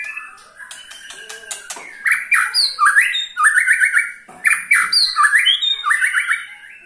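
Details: White-rumped shama ketrekan, a call said to set any shama singing: soft rattling start, then a run of loud harsh chattering notes repeated about four times per second, each burst with a high whistled accent.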